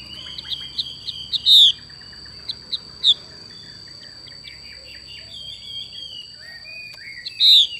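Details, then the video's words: Xùy call of a female Chinese hwamei: a scatter of short, soft chips and ticks punctuated by two loud, downward-sliding whistles several seconds apart, with a steady high tone in the background. "Họa mi mái xùy cực đỉnh"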